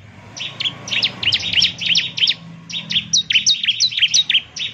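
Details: Bar-winged prinia in full song meant to set other prinias answering, with rapid high chips and sweeping notes, softer at first and then louder and crisper, over a faint low hum.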